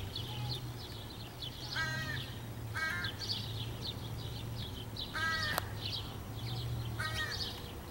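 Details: Nonstop cawing of young crows recorded June 23, 2015: four short, nasal, kazoo-like caws spread over several seconds, with a sharp tap, steady low hum and high twittering of other birds throughout.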